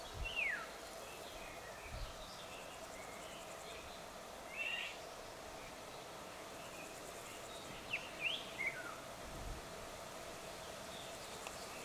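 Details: Several Eurasian golden orioles in western Poland: flute-like whistles sliding steeply downward, heard twice about eight seconds apart, amid scattered high chirps of other birds and a steady low hum.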